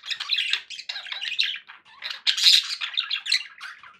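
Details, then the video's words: Pet budgies keep up a dense run of harsh squawks and buzzy warbling chirps, nearly unbroken, with louder scratchy peaks midway through. "1 hours of budgie sounds for pet parakeets to make tham happy"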